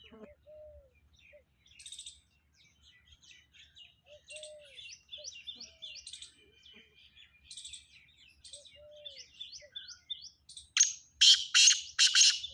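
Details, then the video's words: Black francolin, Sindh, Pakistan: many small birds twitter and whistle in short high notes before four loud, scratchy, grating bursts end the recording. "Kala Teeter"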